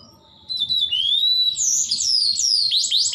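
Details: Canary singing in the tembakan style with many rapid shots: after half a second of near quiet, high whistled notes slide upward, then break into quick, bright, looping trilled notes.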